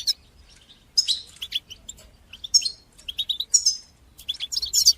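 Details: European goldfinch singing bitbita and sitsita phrases to stimulate goldfinches to sing. Ringing high notes mix with buzzy twitters and short repeated chips in lively bursts, on a clean, quiet background.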